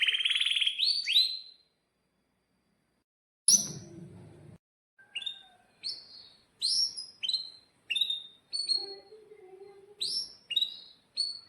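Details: Domestic canary singing a long rolling lure song for tutoring young birds: a loud burst of buzzy high notes, a pause with a brief noisy thump, then separate sharp chirps and short whistles spaced about half a second apart.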